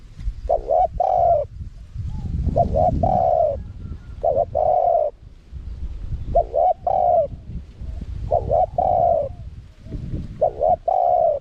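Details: Wild-style spotted dove calling with a small voice, played to lure wild doves. Repeated coo phrases, short double notes and long hollow coos, over steady low rumbling background noise.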